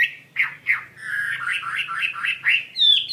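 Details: Chinese hwamei (wambi mandarin) singing actively: two harsh slurred notes, then a quick chain of looping whistles, ending in a clear high whistle.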